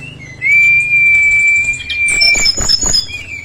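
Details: Brown-chested jungle flycatcher singing energetically: one long, steady, clear whistle held for nearly two seconds, then quick buzzy, scratchy high notes.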